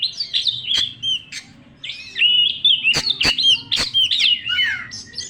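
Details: Oriental magpie-robin, young and wild, in loud, varied song: whistled phrases and slurs punctuated by sharp clicks, a short quieter gap, then a busy stretch of warbling whistles.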